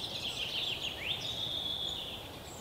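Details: At a nest in an old woodpecker hole in a Yekaterinburg forest park, June 2018, European pied flycatchers bring insects to their chicks; a rapid high twittering run with one sharp upward sweep, then a sustained thin whistle.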